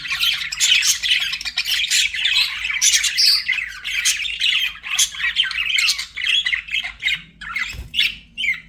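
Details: Pet budgies fill the air with loud, busy warbling chatter, scratchy and squeaky, pulsing in waves, thinning toward the end to a few separate chirps, with a faint low thump.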